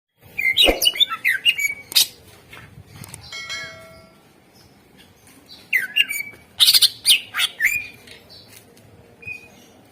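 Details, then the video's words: Greater green leafbird singing vigorously, used as a lure to get silent birds singing: two bursts of sharp chirps and rising whistled notes with metallic, bell-like ringing, separated by a quiet stretch with faint tonal hum. "Suara Pancingan CuCak Ijo / Murai Ijo Gacor Ampuh Bangat Burung Pancing Burung Yang Macet Suara"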